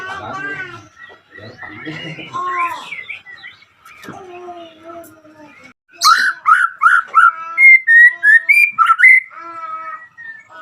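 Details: White-rumped shama song used as a lure to call out rivals and stir emotion and breeding drive in other shamas. Mixed lower harmonic sounds at first, then a run of loud, sharp whistled notes repeated about three per second.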